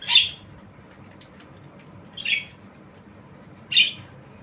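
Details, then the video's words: Javan myna, tame, giving three harsh rasping squawks spaced about two seconds apart in a quiet setting. "Jalak kebo Suara Unik"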